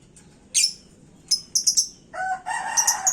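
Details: Caged lovebird hung up and heated, its calls meant to rile other birds: shrill high chirps in separate bursts, then a denser run of chirping over a lower harmonic note near the end, against quiet background hiss.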